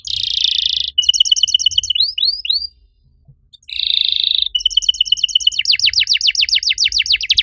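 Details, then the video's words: Master canary song for training canaries that have gone quiet: a buzzy rattle, then pulsed trills and looping upsweeping whistles, a short pause, another harsh buzz, and a long rapid series of sweeping chip notes. "MASTERAN KENARI AMPUH BUAT MANCING KENARI LAIN YANG MACET BUNYI! - CANARY SINGING"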